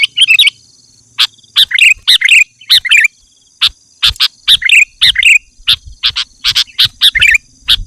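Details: Sooty-headed bulbul in lively 'gacor' song, used as a lure and master recording to prompt singing. Short bursts of bright, chirpy warbled notes with sharp clicks come every half second or so, separated by brief silences. A steady high hiss runs underneath.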